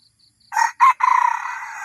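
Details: Red junglefowl crow used to attract wild birds in Thailand, two short gruff notes then an extended harsh drawn syllable; faint regular insect chirps precede it.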